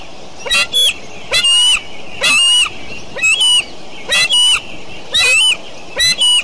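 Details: Eagles at Decorah on a June 2012 morning: seven bursts of high, chittering, squealing calls with sliding whistled notes, about one a second, over steady background noise.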